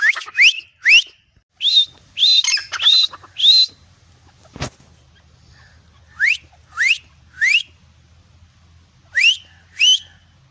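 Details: Grey francolin by a tube well in a garden giving bursts of shrill rising squeaky notes in groups of two or three, with pauses between groups, a single sharp knock and a faint low hum.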